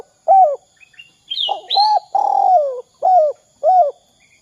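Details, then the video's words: Spotted dove calling in the 'kuk 2' pattern to prompt other doves: an arched coo, a pause with high chirps from another bird, then two coos, a long descending coo and two evenly spaced short coos. "Suara Derkuku kuk 2"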